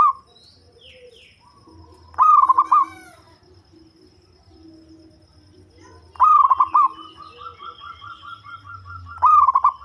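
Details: Local zebra dove with a bass voice, used for luring birds, giving pulsed cooing phrases. One phrase runs into a long, evenly beaded trill before the next burst, over a low humming background.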